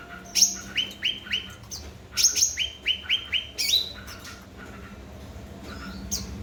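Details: Grey-bellied bulbul called cucak ranting in vigorous song, meant to get silent birds singing: two bursts of evenly spaced, descending chirps, then quieter background toward the end.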